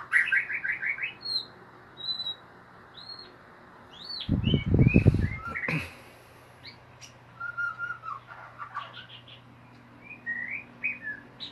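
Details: White-rumped shama opening with a quick run of repeated notes, then looping whistles, a harsh low rumbling burst midway, and later slurred whistles and short trills in ngeriwik style.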